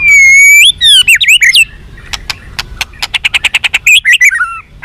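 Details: White-rumped shama fighter song, meant to make captive birds more responsive and combative: a long level whistle, then rapid slurred rising and falling whistles, a run of about a dozen sharp clicks, and closing warbled notes.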